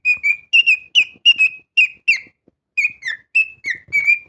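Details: Pet cockatiel singing loudly: a run of clear whistled notes, each sliding slightly up or down, given in quick pairs and short phrases with brief pauses, faint clicks and rustling underneath.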